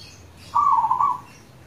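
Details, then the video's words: A single rapid, rattling coo from a local zebra dove, an active singer used as a lure for other doves, lasting about seven-tenths of a second and fairly level in pitch. "Pancingan ampuh perkutut lokal gacor"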